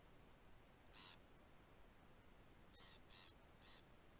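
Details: Sacred kingfisher in south-eastern Australia, returned in spring and heard on a rural property; its call signals a pair setting up a breeding territory. One harsh, strident note, a pause, then three quick rasping notes over quiet background hiss.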